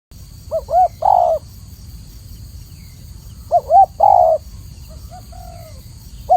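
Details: Spotted dove giving soft low coos around 600–800, two short notes then a longer one, paired phrases separated by pauses, with a steady faint hum in the background.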